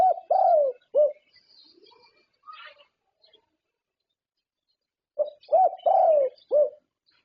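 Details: Champion zebra dove from Thailand, a contest winner whose song is judged by professional jurors; soft low cooing notes in two bursts, a run of three or four rounded coos, a pause, then four more coos, faint chirps between.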